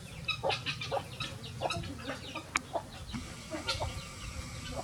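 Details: Free-ranging chickens of various breeds on a sunny farm; many short soft clucks and brief squeaky notes scattered throughout, one sharp click near two and a half seconds, over a constant low background hum.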